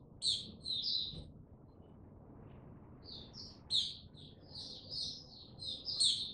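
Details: Male white-eye, known locally as mata puteh, gaining confidence before fully opening into song, dated 06032022: thin, high twittering phrases in two bursts, a short run, then a pause, then a longer chattering sequence, over a faint low hum.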